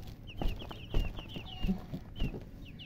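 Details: Close baby chicks chirping, clear piercing peeps that slide downward, strung in quick series, with soft knocks and thumps in the background.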